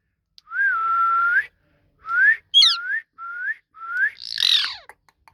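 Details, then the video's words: Talking ringneck parrot giving a long flat whistle, then shorter rising whistles, a sharp high chirp and a final harsh squawk. "PARROT TALKING | RINGNECK PARROT"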